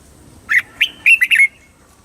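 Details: Red-whiskered bulbul from Thailand giving one southern master-style phrase, played to excite other birds and teach young birds; five quick, clear, warbled notes in a tight run lasting about one second.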